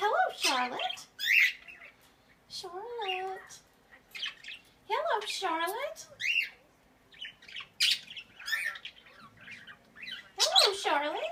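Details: Pet Quaker parrot calling: a series of harsh, harmonic squawks with wavering, speech-like rises and falls, arriving in separate bursts about every one to two seconds with short quiet gaps between.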